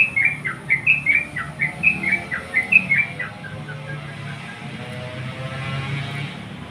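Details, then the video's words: Sooty-headed bulbul in full voice, calling a rival: a quick run of about ten short, bright, bubbling notes with slight downward slurs over three seconds, then fading into quiet background hum. "crucukan gacor memanggil lawan"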